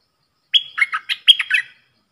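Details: Dok taeng bulbul in a cage, singing against wild birds, recorded 3 October 2021: a single lively phrase of about seven rapid chirpy notes. The notes alternate between high and lower pitch, giving a bouncy, liquid pattern.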